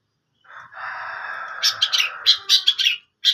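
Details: Long-tailed shrike in active song: a drawn-out nasal buzz that runs into quick, harsh, scratchy chips repeated several times per second, ending after a brief pause with one more sharp note.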